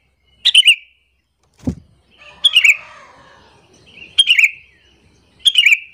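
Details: Sooty-headed bulbul calling to lure rival bulbuls and provoke them: four short bright chattering phrases spaced about a second apart, with a low thump partway through and quiet background.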